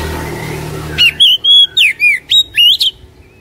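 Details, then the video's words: Oriental magpie-robin singing as a lure for a caged bird that sings too little. A second of low background hum gives way to seven crisp whistled notes, some level, some swooping down, evenly spaced. "HARIAN GUNAKAN PANCINGAN KACER INI | KACER MALAS BUNYI CEPAT GACOR"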